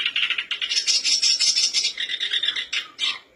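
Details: Lure song of a black-browed reed warbler, intended to make birds sing quickly: a loud, dense, raspy chattering of high notes in quick pulses, with brief gaps near the end.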